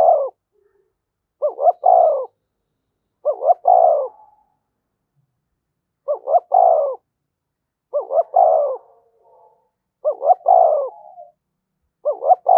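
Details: Spotted dove cooing to stimulate a newly caught dove: seven clean phrases, roughly every two seconds, each a short double note followed by a longer falling coo, with no other sounds.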